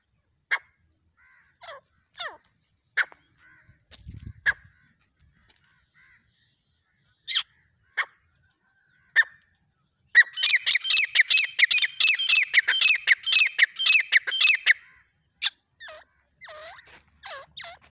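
A partridge gives sharp, separate calls, then a loud, harsh burst of rapidly repeated notes.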